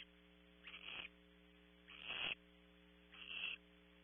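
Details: Owlet of a barn owl in a California nest box at Audubon Starr Ranch: three breathy, rasping hisses about every 1.3 seconds, the middle one loudest, over a continuous hum.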